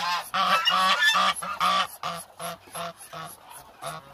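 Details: Hungry Muscovy ducks, a flock of about a thousand, giving a rapid run of loud, nasal honks, roughly three per second, that gradually grow softer and more spaced out.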